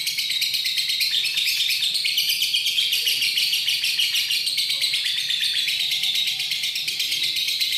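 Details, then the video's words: Lovebird in sustained "ngekek" chattering, recorded 31 January 2019: a continuous, very fast stream of shrill, scratchy high notes with no pauses across the whole stretch. "Love bird ngekek"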